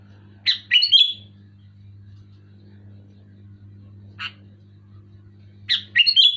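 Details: Clear, loud sooty-headed bulbul song intended to set off silent bulbuls: a fluty warbled phrase, a lone short note a few seconds later, then another bubbly phrase, with a steady low hum throughout.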